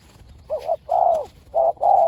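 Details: Spotted dove, one of two fierce birds in a decoy-trapping encounter. Soft coos in two pairs, a short note then a longer slightly falling one, with faint background hiss.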